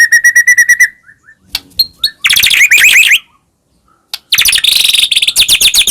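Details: White-rumped shama singing as a lure for caged birds: a quick row of identical pulsed notes, scattered calls, then long dense buzzy chattering phrases.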